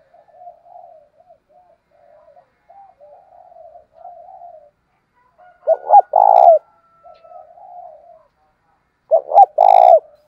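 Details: Decoy spotted dove calling in wild-dove style to provoke fighting: a long run of soft, murmured low coos, broken twice by loud, rough, vibrating coo bursts with clicking onsets.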